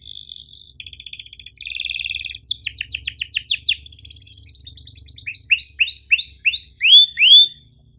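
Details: Canary in long, lively tutor song with sharp chirps and rolls, aimed at teaching young or reluctant canaries: a flat buzzy tone, dense trills, quick falling whistles, then loud rising-falling chirps at steady intervals over faint low hum.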